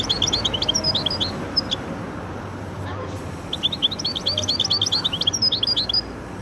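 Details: Goldfinch × canary hybrid pouring out rapid twittering runs of high chirps and trills, two long phrases separated by a brief break, with a low background hum throughout.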